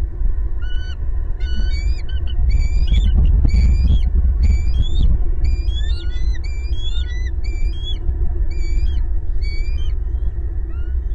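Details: Bald eagle family of two adults and two eaglets at their big old nest in a Southwest Florida pasture, 18 April 2022, in a loud family chorus: thin, high, squealing chirps in rapid irregular series, over constant low rumbling.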